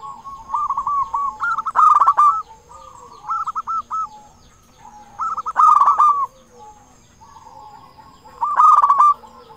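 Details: Zebra dove, a local bird with a big voice, sings constantly as a lure for other zebra doves: three loud rippling coo phrases about three seconds apart, with softer overlapping dove coos filling the pauses.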